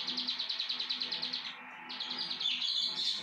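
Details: Plain prinia singing: a rapid series of buzzy, regularly repeated notes for about a second and a half, followed by a brief pause and softer, higher twittering.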